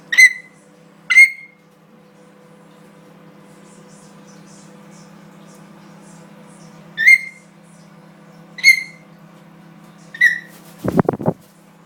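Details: Young African grey parrot, 18 weeks old, perched on its owner's shoulder indoors, giving five loud, short whistled calls with sharp starts at uneven gaps, then a harsh rasping burst at the end; steady low hum underneath.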